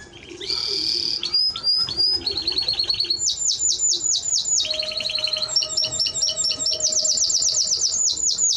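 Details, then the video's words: Singing Timbrado Español canary, loud and continuous: a sustained rolled note, then a sequence of crisp repeated trills, each series of notes rattled off quickly before shifting to a new pitch, faint lower tone underneath. "Timbrado Español Canario song"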